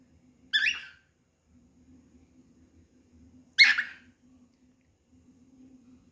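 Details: Cockatiel calling while looking for another cockatiel to play with: two short, harsh, screechy calls about three seconds apart over a faint steady hum.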